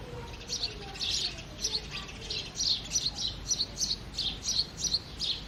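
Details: House sparrow chirping in early morning: bright, high chirps repeated about three times a second in a steady run of roughly sixteen notes, with faint lower whistles from other birds in the background.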